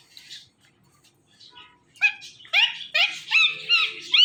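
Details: Pet Ringneck parrot talking while watching itself in a phone: near silence with a soft mumble, then a quickening burst of nasal, bent, meow-like syllables.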